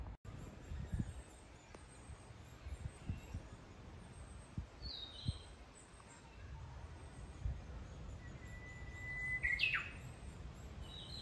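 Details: Japanese bush warbler in a new-leaf forest at Kitayama, Kyoto, Japan, in June 2022. One full phrase near the end: a drawn-out level whistle, then a quick, loud flicking downslur. Faint thin chirps before it, over low rumbling forest background.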